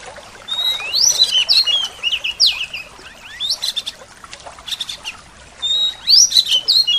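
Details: White-rumped shama song in the full isian style, packed with mimicked sounds of other species, delivered as bright, varied whistled phrases and quick upward sweeps in bursts, with brief pauses and a soft background hiss.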